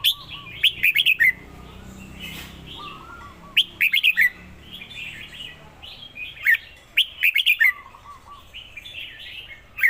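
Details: Red-whiskered bulbul singing in bursts of bright, chirpy phrases, each with sharp clicking ticks, repeated roughly every three seconds. Softer, lower wavering notes sound in between, over a faint steady background hiss.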